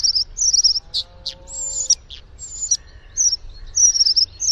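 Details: Bluethroat song built from loud, buzzy, high trilled bursts alternating with sharp downward flicks and a brief lower whistled note, delivered in rapid irregular sequence.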